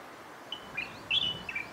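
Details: A light-vented bulbul of the Taiwan subspecies sings a quick run of four bright, slurred whistles over little more than a second, rising and falling, against faint background hiss; light-vented bulbul.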